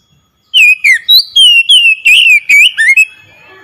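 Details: Oriental magpie-robin song used to lure a silent bird into singing: an unbroken run of about ten loud whistled phrases, sweeping and wavering in pitch, delivered fast and fluently.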